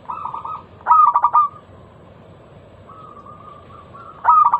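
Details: Zebra dove, local variety, giving its loud lure song to start other doves singing: a short coo, a strong burst of quick pulsed notes, a quiet drawn-out hum, then a new phrase beginning.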